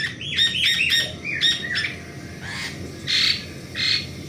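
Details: Asian pied starling active in the morning, a quick cluster of sharp whistled and chirping notes followed by two harsher, noisy squawks after a short pause.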